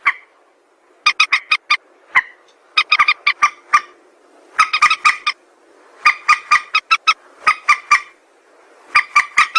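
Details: White-breasted waterhen calls, a sound used to lure birds for trapping: bursts of rapid, harsh, harmonic notes in clusters of four to eight, separated by short pauses, in a clean recording with no other sounds.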